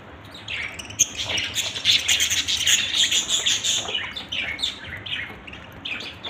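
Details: Budgerigars in a family group keep up continuous busy warbling chatter, quick high chirps and squeaky notes tumbling over one another, several birds calling at once.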